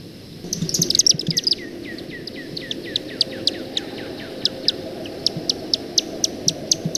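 Chimney Swift giving a fast, high twittering chipper run, then sharp single chip notes spaced about every quarter to half second.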